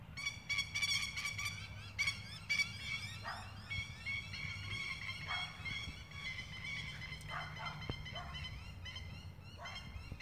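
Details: Spur-winged plovers in Queensland, Australia, at night, dive-attacking a stray animal and the person recording; loud sharp rattling, strident calls in rapid bursts, repeated many times, with low background hum.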